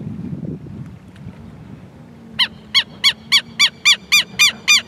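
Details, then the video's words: After a couple of seconds of low background rumble, a Southern lapwing breaks into a fast series of loud, harsh, ringing notes, around three to four per second, about ten in all. "Quero Quero Cantando"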